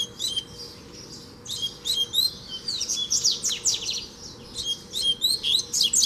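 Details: Free double-collared seedeater challenging a caged bird: fast, bright twittering song in repeated high chirped phrases, building into a dense run of sharp notes toward the end, with a low steady hum underneath.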